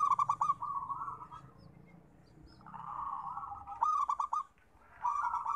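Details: Local perkutut, the zebra dove, in song used to coax reluctant birds into singing: repeated cooing phrases of clipped pulsed notes linked by long, steady purring trills, three phrases in quick succession with a short pause before the last.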